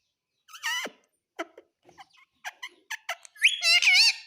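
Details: Pet talking parrot, said to mimic words like "mummy", indoors: scattered short clicks and chirps, then a long, strongly harmonic, wavering speech-like call at the end.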